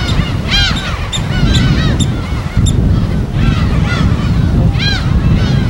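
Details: Gulls calling at their colony on an uninhabited Korean West Sea island: scattered arched squawks and short sharp notes from several birds, partly buried under heavy low rumbling of waves or wind.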